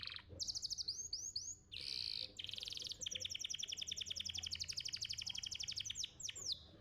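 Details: Champion canary from bird contests singing a master song for young canaries: a few looping high whistles and a buzzy rattle, then a long, rapid, even trill of sharp notes lasting several seconds.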